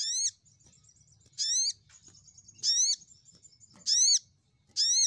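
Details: Crimson sunbird, known locally as sogok ontong, in a lure recording used to call rivals: loud ringing downslurred notes with rich overtones, repeated about every 1.2 seconds, joined by a thin high whine.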